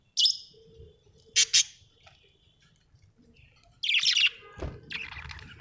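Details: Budgerigars kept at home: a few short, loud, rasping squawks spaced out over several seconds, then a longer noisy burst; low room rumble in the background.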